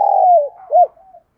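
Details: Spotted dove calling to lure other doves with a single long, hoarse, slightly falling coo followed by a short arched note and a soft trailing tail.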